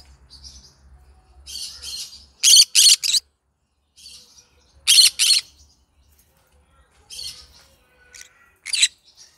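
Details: Yellow-sided green-cheeked conure alternating soft buzzy chatter with paired and tripled loud harsh squawks, repeated several times over nine seconds.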